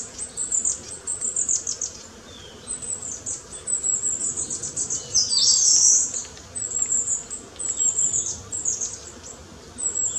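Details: Newly fledged long-tailed tit youngster foraging nonstop among trees; a steady run of high, thin, sibilant calls repeated every second or so, with one louder burst in the middle, over faint rustling.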